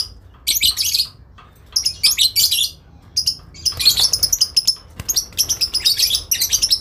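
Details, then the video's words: Adult lovebird in long ngekek, calling to a rival; harsh high bursts at first, then a fast rapid chatter of many short grating notes, several per second, continuing to the end. "induk love bird ngekek panjang , saling nyaut memanggil lawan"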